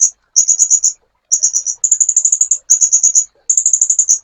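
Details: Master recording of a sunbird for songbird training. Sharp, high-pitched rattling trills come in clipped phrases of under a second, repeated with brief pauses.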